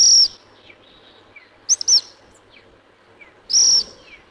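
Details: Black phoebe at Alto San Miguel gives sharp, high, buzzy call notes in short bursts about every two seconds, with faint softer chips between them and a quiet background.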